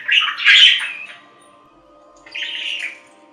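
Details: Budgerigar calls: a loud, harsh squawking burst lasting about a second, a pause, then a softer buzzy warble, with a faint steady hum underneath.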